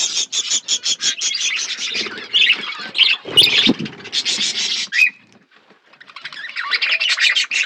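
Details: Budgies eating food in a flock. A run of evenly spaced short chirps gives way to mixed squawks and chatter, then a brief lull before soft chattering returns.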